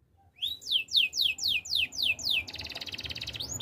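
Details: After a moment's quiet, a Belgian canary sings seven loud down-slurred whistles at about three per second, then breaks into a dense, fast rolling trill, part of a training song.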